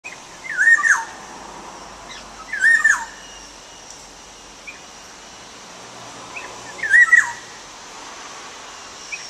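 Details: Bird call from a quiz: three short whistled notes near the same pitch, each with a quick downward hook and a faint higher buzzy overtone, spaced irregularly about two and four seconds apart over a steady background hiss.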